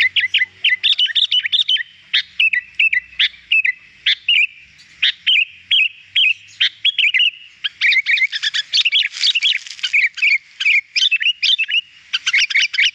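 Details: Energetic sooty-headed bulbul (kutilang) singing for use as a lure for wild birds, a dense run of quick chirps and bubbly warbled notes with hardly a pause, growing busier toward the end.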